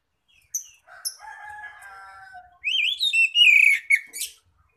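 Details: Loud 'ngeplong' song of an Oriental magpie-robin used as a lure for others of its kind: softer sustained harmonic notes and a few sharp chips, then a bright warbling phrase of looping whistles.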